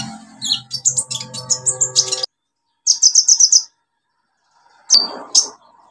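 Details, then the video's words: Olive-backed sunbird in full song, meant to stimulate silent birds: a rapid run of high twittering chirps over a low hum, then a quick repeated trill of five or six notes, and a final sharp squeak. "KOLIBRI NINJA SUPER GACOR NEMBAK ISIAN BUAT TERAPI PANCINGAN KOLIBRI NINJA MACET BUNYI"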